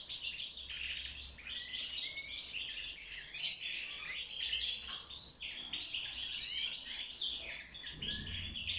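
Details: European goldfinch singing in a cage while mating and nest building; lively, continuous twittering of sharp chirps and tinkling trills, slightly quieter toward the end.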